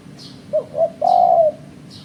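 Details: Spotted dove calling for bird trapping: a brief coo, a second short coo, then a long, even, mellow note lasting about half a second, while thin high chirps sound in the background.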